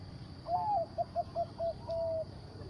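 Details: Zebra dove from a breeding farm, kept for its deep, big voice, giving a cooing song: a drawn-out opening coo, four short clipped coos, then a long sustained closing note over a low steady hum.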